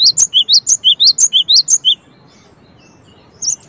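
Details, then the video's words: Gelatik batu, or cinereous tit: a fast, regular series of loud, thin chirps alternating higher and lower notes for two seconds, then quiet with a faint final pair. "suara gelatik batu"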